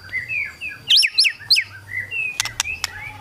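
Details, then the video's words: White-rumped shama in kretekan song meant to provoke rivals into singing, giving soft slurred warbles, then three loud upswept whistles in quick succession, followed by sharp clicks. "KRETEKAN MURAI BATU MEMANCING EMOSI, BIKIN LAWAN CEPAT GACOR EMOSI"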